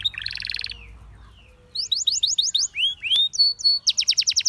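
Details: Canary song: a short buzzy rattle, a pause, then arcing whistled notes repeated about three times a second and a quick burst of sharp chirps.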